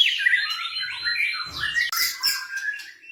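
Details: Pet blorok white-rumped shama singing to trigger other birds: sweeping whistled notes sliding down, a long steady high tone, then chattering and scratchy notes, with faint low noise in the background.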